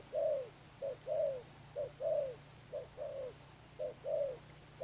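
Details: Spotted dove, "sấm thổ" coo style: five rounds of short-then-long low hoots, each long coo sagging at the end, evenly spaced, over a soft steady hum.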